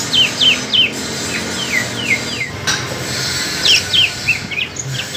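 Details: Two greater green leafbirds, an East Kalimantan bird against a spotted Alas Purwo bird from Banyuwangi, competing in song: quick bright whistles sliding downward in short bursts, repeated several times a second, with a thud and a faint background hum.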